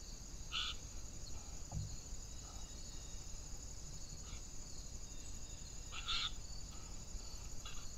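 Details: Eurasian jays captured on a trail camera on 16 June 2021: two brief, scratchy calls about five seconds apart, with a few fainter rasps between, against constant insect trilling and low rumbling noise.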